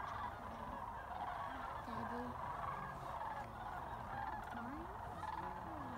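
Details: A flock of sandhill cranes calls as the birds come back to Jasper Pulaski after feeding in nearby fields. Rough, rolling bugles sound constantly, with a few clearer rising notes standing out from the crowd.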